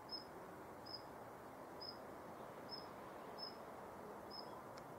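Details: A female Daurian redstart on the morning of 19 November 2021 at Yanagishima Beach, Japan, gives six thin, high whistled notes about one a second over a steady wash of surf.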